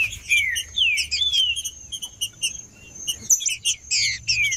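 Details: Male green-winged saltator in warm-up song, giving clear falling whistled slurs about every half second, then bursts of busy high chirping, over a constant faint high whine.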